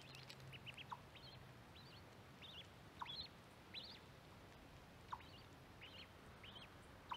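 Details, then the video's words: Baby mallard ducks recorded close to a microphone set by corn, peeping in quick pairs and clusters of high, rising-then-falling notes, with brief sharp clicks between them. "Mallard duck calls, baby duck calls"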